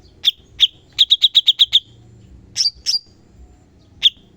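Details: Bulbul song, known locally as cucak cungkok, recorded as a training sample: isolated sharp chirps, then a fast even run of seven staccato notes, two flicked upslurs, and a final chirp.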